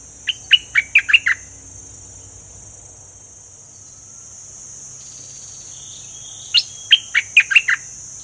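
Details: Fully feathered bulbul delivering double-style song: two bursts of about six sharp whistled notes each, separated by roughly five seconds of quiet, with a constant thin high hiss behind.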